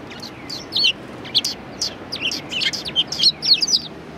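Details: Loud, lively chorus of sparrows at a Tenmangu shrine on 1 March 2020: dense overlapping chirps and twittering notes, growing busier toward the end.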